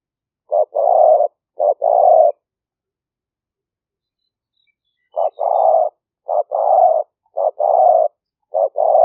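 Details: Spotted dove used as a trapping lure, recorded live near Nong Khu Phai in rice fields during the rainy season, Roi Et province, Thailand, on a smartphone; mellow cooing phrases, each a short note then a longer rolling coo, in two bursts separated by silence.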